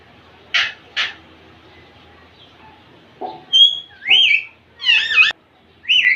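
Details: Captive Indian ringneck parakeets, a young male courting a female: two short harsh clicks, then a run of shrill rising and falling squawks and screeches in close succession.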